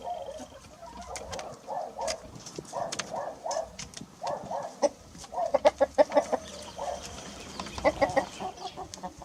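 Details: Grey rooster eating cookies from a person's hand, giving a run of short, low clucking notes repeated roughly three times a second, with brief louder bursts toward the end and rustling in the background.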